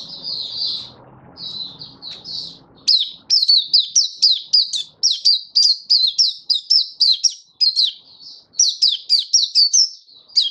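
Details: Caged Oriental white-eye, a kept songbird in full song display: high thin twittering notes run together in rapid bursts, then a long string of sharp descending whistled chips, about three per second, with faint low hum at the start.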